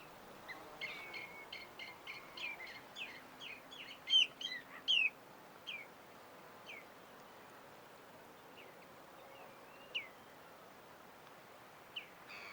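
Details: Green jay in early morning sun gives a quick run of sharp, chirping notes over about five seconds, then scattered single chips; faint background hiss throughout.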